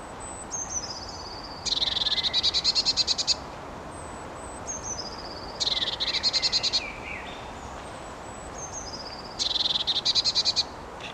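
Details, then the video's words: A Eurasian blue tit sings in a palace park three times: two or three thin, high, falling notes, then a fast, bright trill of about 1.5 seconds, over steady background rumble. "Blaumeise singt"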